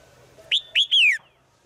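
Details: Female bird calling every day to a male in the forest: a short whistle, then two longer clear notes, the last gliding downward, the phrase under a second long.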